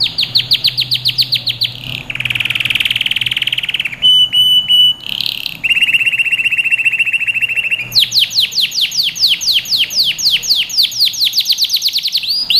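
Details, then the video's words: Canary delivering song meant for training young birds: quick repeated sweeps, a buzzy rolling trill, brief pure whistles, a lower rattling tour, then a long run of steep descending notes. "Canary Singing | Melodies Canary Bird Song"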